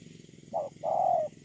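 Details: A spotted dove kept as a ground decoy, recorded 8 October 2018, gives one phrase: a short soft hoot, a brief pause, then a drawn-out level coo, over a faint low hum.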